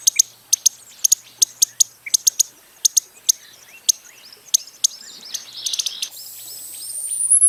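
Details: Costa's hummingbird delivering crisp, high-pitched ticks in pairs and singles, then a rising rushing noise takes over near the end.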